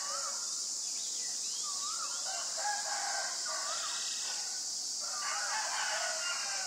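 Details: White-vented myna in Ubon Ratchathani, Thailand, on 25 March 2022, giving a busy run of squeaky, bending notes and rough chatter, some overlapping, against a constant shrill insect hum.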